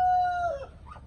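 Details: Tail end of a chicken crow: a steady, clear tone held for half a second, then sliding down and fading, with a brief faint follow-up note.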